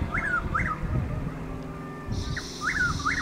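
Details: Chuck-will's-widow calling before dawn on 12 April 2023 near Lake Placid, Highlands County, Florida: a clipped note then a quick, whistled three-part phrase, heard twice, over a steady low rumble.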